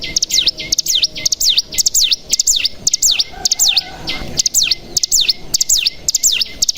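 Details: Mountain tailorbird (cigun) lure song for caged birds: bright, high, V-shaped dipping whistles repeated steadily about twice a second, each ending on a short lower note.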